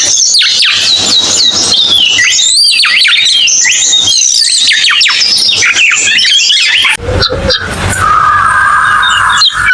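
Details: A cucak keling pours out busy high chattering and whistled phrases for about seven seconds, followed by a different, rougher passage with a sustained mid-pitched tone and broadband noise.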